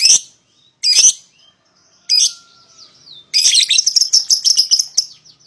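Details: Young (paud) lovebird pair used to lure a rival into singing: three harsh high squawks, then a dense rapid chattering trill of sharp chirps.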